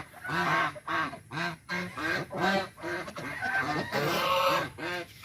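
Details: Angry white domestic geese protecting their territory: loud nasal honks in pairs and short bursts, about one every half second, some overlapping, with a rougher, noisier stretch near the end.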